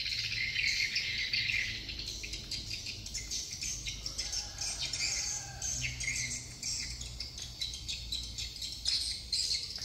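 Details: Quieter swiftlet chorus in Dương Tơ commune, Phú Quốc: scratchy high twitters repeated rapidly, with low background rumble.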